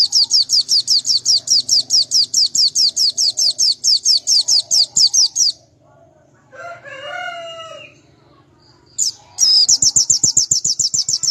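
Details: National white-eye for the G16 or G20 contest class, with a peculiar song said to make rivals flare: a long, fast chain of shrill down-slurred notes, then a lower wavering rising call, then the rapid high chain resumes.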